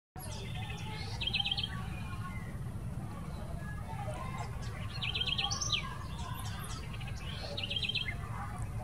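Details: Southern house wren (corruíra) singing at the Jardim Botânico, São Paulo, Brazil, on 26 November 2019: three bursts of rapid, rattling trills mixed with sharp high notes, spaced a few seconds apart, over steady low traffic rumble.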